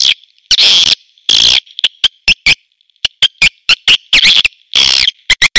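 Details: Swiftlet calls: loud bursts of shrill, buzzy twittering chirps in irregular clusters of short and longer notes, with a thin steady high tone running beneath and brief silences between bursts.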